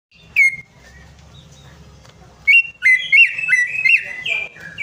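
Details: Greater green leafbird song used as a lure to prompt a bird that has stopped singing: a loud ringing whistle, then a pause, then a burst of sharp swooping whistles over a softer, warbling chatter.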